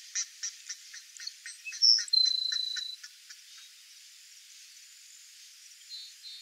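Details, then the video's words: A Grassland Sparrow (Ammodramus humeralis, tico-tico-do-campo) sings high, thin notes: a run of quick ticking chips followed by a long, level buzzy whistle, then a few faint trailing notes. "GRASSLAND SPARROW singing (AMMODRAMUS HUMERALIS), TICO-TICO-DO-CAMPO"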